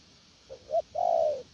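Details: Spotted dove cooing "gù lèo nước" style, a faint soft note and a sharper short note, then one long, drawn, gently falling coo.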